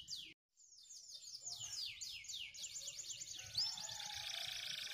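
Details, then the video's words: White canaries on dry stalks singing a fairly quiet run of repeated high downward-sweeping whistles, phrases shifting pace midway into a denser, faster rolling tour, with faint low rumbling underneath. "Singing Canary Beautiful White Canaries and dancing on dry stalks to a beautiful song"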